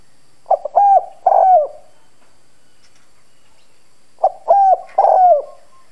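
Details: Decoy spotted dove with a husky 'giọng đồng' voice, cooing forcefully to provoke wild doves; two repeated phrases of quick short notes leading into longer, level, mellow coos, separated by about two seconds of silence.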